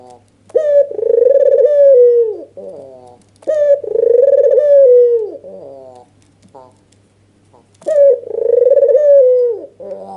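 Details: Red-eyed white (albino) Barbary dove giving an agitated nodding display call, used to provoke lazy doves into calling; three long rolling coos near the same pitch, each opened by a short clipped note, roughly every three and a half seconds, indoors.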